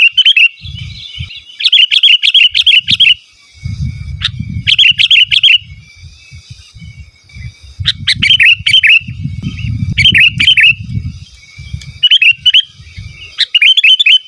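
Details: Sooty-headed bulbul in loud, persistent song, pure with no mimicked fill-ins, used to call rivals and lure wild birds: short bubbly whistled phrases in quick bursts, repeated many times with brief pauses, over a low rumbling background.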